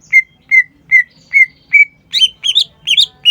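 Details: Green leafbird (cucak ijo) singing: five clear, evenly spaced falling whistles, then a faster run of twisting, doubled chirps at a higher pitch.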